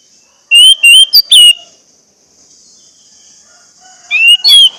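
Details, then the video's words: Orange-headed thrush song used to trigger singing in caged birds: a cluster of whistled notes and a falling slur, a long quiet gap, then another short burst of rising whistles. "pancingan anis merah agar anis merah macet cepat bunyi dan gacor"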